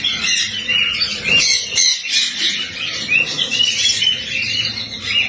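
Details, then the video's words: Steady, lively high-pitched twittering from cockatiels, with rapid overlapping chirps, short whistled upslurs and occasional harsher squawky notes throughout. "COCKATİEL SOUND"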